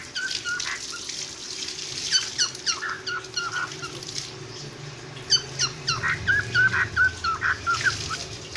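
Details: Cockatiel giving a busy series of short squeaky chirps and whistled notes, several per second, in bursts with brief pauses, plus soft low rumbling noise underneath.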